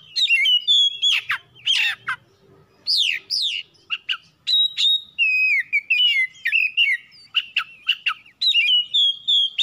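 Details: Oriental magpie-robin in full song, used to provoke other birds to sing, a long varied stream of loud whistles, sweeping slurs and harsh chirps repeated almost continuously.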